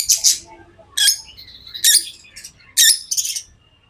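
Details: Pet lovebirds calling with loud, shrill squeaky chirps in short bursts about every second, mixed with softer twittering between the sharper notes.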